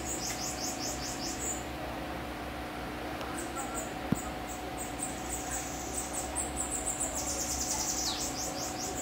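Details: A kept group of bananaquits, with about four more inside the house, give thin, very high, buzzy trills in quick overlapping bursts over a steady low hum and brief human speech.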